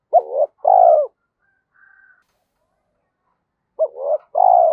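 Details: Decoy spotted dove cooing fast to stir up other doves: two-part phrases of a short clipped note and a drawn-out descending coo, sung twice with a long pause between.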